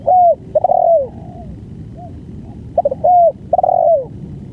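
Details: Spotted dove with the banggo song, recorded at long duration. Repeated phrases each pair a brief coo with a longer, fuller descending coo, three times in quick succession, with faint coos behind.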